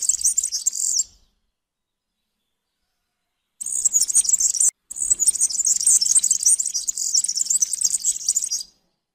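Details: Jingling, high, sibilant song of a European serin. A short opening phrase is followed by a pause, then a longer run of rapid, glittering twitters lasting several seconds.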